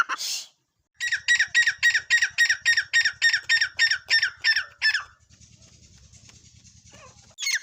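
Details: Teetar, a partridge, giving a rapid, even series of about fourteen harsh, squawking notes over four seconds, each with stacked ringing overtones, followed by a soft hiss and a last loud note.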